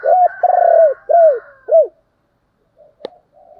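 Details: Spotted dove coo, used to coax wild doves into answering: one short note, a long vibrating coo, then two rounded arching notes falling at the end. Near silence follows, broken by a single sharp click and faint murmurs.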